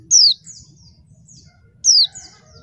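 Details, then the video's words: Female mountain white-eye used as bait to excite lazy males into singing. Two clear high descending whistles with softer echoing notes after each, nearly two seconds apart, over low-pitched hum. "pleci betina bikin jantan tambah edan"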